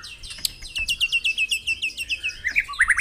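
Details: White-rumped shama song played as a morning lure to get caged birds singing: a fast run of about twelve sharp, high chirped notes repeated evenly, ending in a few lower rising whistles.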